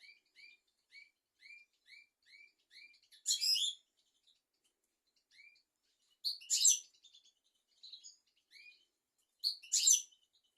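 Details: European goldfinch singing in a training recording for young goldfinches and canaries: short upslurred chips repeated evenly, broken every three seconds by a loud, dense, high twittering burst.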